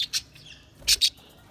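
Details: Budgerigar chirps, three sharp, high, bright notes, one alone and then a quick pair close together, with quiet pauses between.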